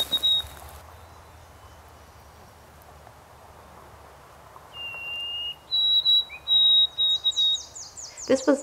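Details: A male White-throated Sparrow sings the traditional triplet-ending "Canada" song: a pure whistle, then a higher held whistle, then a quick run of repeated triplet notes. A voice is heard briefly just before.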